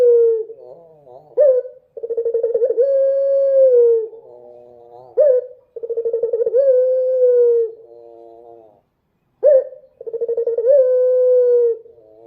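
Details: Night song of a dove: long level coos, each opened by a brief rising flourish, the pattern recurring about every four seconds, with near silence between bouts.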